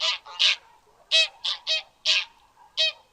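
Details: Harsh, nasal honks from a goose, about seven short blasts in three seconds, spaced irregularly with quiet gaps between them.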